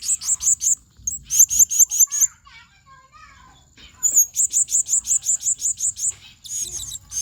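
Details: Blue-crowned hanging parrot in the excited 'ngobra panas' style, recorded as tutor material for songbirds: bursts of very high, shrill, rapidly repeated chirps, five to eight per burst, separated by short pauses, with faint softer warbling notes between bursts.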